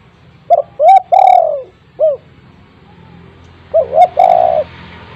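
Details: Low mellow cooing from a spotted dove kept at home, aimed at getting silent doves to call: one complete four-note phrase, then a second phrase starting about three seconds later over light hiss.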